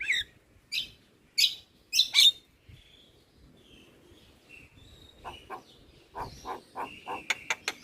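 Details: Javan myna, a chatty caged bird singing without pause: a few loud harsh squawks, a quiet stretch of soft thin whistles, then a fresh burst of short rasping notes and clipped high chirps.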